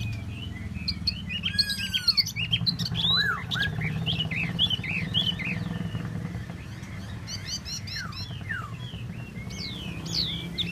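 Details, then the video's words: Tieu mi bird delivering scattered bright whistles and rapid rising trills, with slurred downward notes and a constant low rumble beneath. "Tieu mi de ban choi solo"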